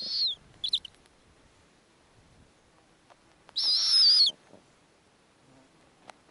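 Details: Snowy owl at an Arctic nest where the female feeds small owlets in pieces: two short hissing screeches, then a longer harsh, whistle-edged screech lasting under a second, in a quiet setting.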